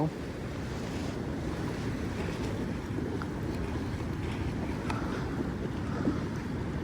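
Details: Steady wind buffeting the microphone over the rush of waves and surf in harsh winter cold, with a few faint knocks and no animal calls.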